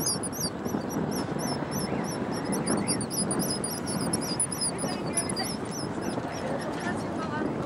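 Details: Black guillemots, known locally as tysties, on the Scottish coast in June 2010 during courtship season. Thin, high, wavering whistles repeat rapidly throughout, each note rising then dipping, over steady surf and wind noise.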